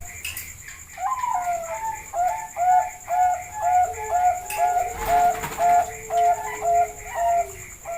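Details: Zebra dove of the Bangkok type calling as a lure recording, giving a long series of soft, rounded coos about two per second, steady and regular, over a low background tone and high electrical hum.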